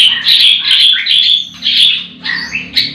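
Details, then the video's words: White-rumped shamas kept at a breeding farm sing in the morning: loud chattering phrases tumble quickly one after another, bright and scratchy, with several singers overlapping. "Pancingan murai batu di kandang ternak ll chirping magpie"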